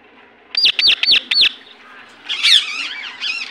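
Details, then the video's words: Indian ringneck parakeet in its natural voice: four quick, sharp, high downslurred chirps in a rapid even run, a short pause, then a harsher, buzzy burst of squawking notes. "Natural Voice of Parrot"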